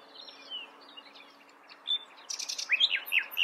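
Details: Nightingale song fragment: faint scattered chirps and whistles, then near the end a quick burst of loud, sharp, downward-slurred notes.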